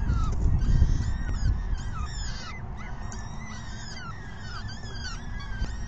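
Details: Begging peregrine falcon chicks during an evening feeding at 6 PM, 14 May 2021: rapid series of thin, piercing downward-sliding squeals, several birds calling at once, against loud low-frequency wind noise.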